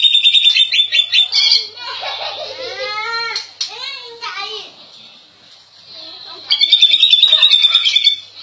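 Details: Greater green leafbird from Indonesia singing a fast, bright run of high repeated notes at the start, then a second longer high trill near the end, with people talking in between.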